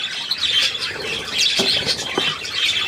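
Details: Budgerigar recorded 3 April 2017: lively, high twittering warble of fast chirps, with a couple of soft lower knocks near the middle and end.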